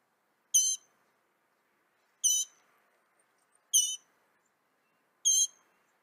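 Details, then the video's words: Northern mockingbird from North America giving four short, high, harsh chattering bursts spaced about one and a half seconds apart, with near silence between them. "Veja o canto do pássaro, ave zombeteira"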